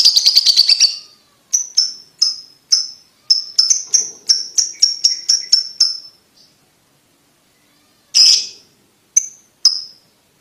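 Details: Ticking call of a lovebird, used to encourage juvenile lovebirds to trill sooner: it opens with a fast run of ticks, then spaced bright clicks about two per second, a pause, and a few louder scattered ticks.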